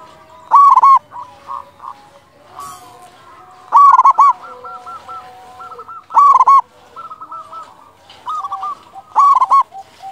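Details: Loud local Zebra dove song meant to stir silent doves into singing: strong rolling coo phrases recur roughly every two to three seconds, with quieter cooing from several other doves in between.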